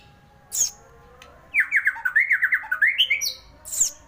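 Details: Magpie-robin song: a fast run of evenly spaced, looping warbled notes lasting about two seconds, bracketed by brief high harsh chips before and after.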